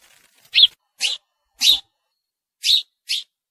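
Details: A house sparrow gives single loud chirps, five short, harsh notes spaced unevenly about half a second to a second apart, with silence between.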